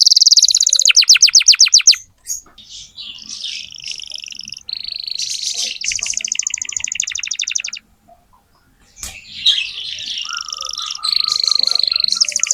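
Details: Lively, constantly singing canary played to tutor young canaries: fast rattling trills, buzzy rolls and high whistled notes alternating in varied bursts, with a short silent gap near the eighth second.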